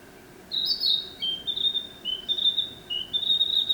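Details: Song of the Narcissus flycatcher, a run of bright whistled notes that hop between two close pitches, delivered in quick succession with short gaps between phrases.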